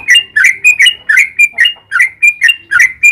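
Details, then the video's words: Sooty-headed bulbul in loud, close 'gacor ropel panjang' song, intended to get other bulbuls to reply. Clear, chirpy whistled phrases repeat about four times a second against a quiet background. "Suara trucukan gacor ropel panjang"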